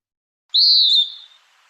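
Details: Western Wood-Pewee, common in the Tahoe Basin woods, gives a single burry, high note about half a second long that rises briefly then slurs downward, 'wee-u'.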